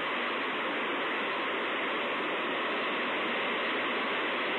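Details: Continuous roaring hiss of running water throughout, with no calls or animal sounds standing out.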